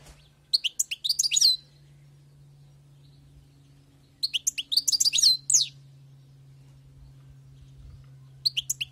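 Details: Wild-caught European goldfinch singing: bright, rapid twittering phrases about a second long, high and jangling, repeated three times with quiet gaps between, over a steady low electrical hum.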